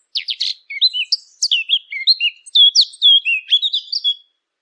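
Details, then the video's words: Eurasian blackcap song recorded cleanly for use with hunting callers: a rapid warble opening with high scratchy notes and running into clear, fluty whistled phrases for about four seconds, with no other sounds. "صوت التيان او عصفور التين"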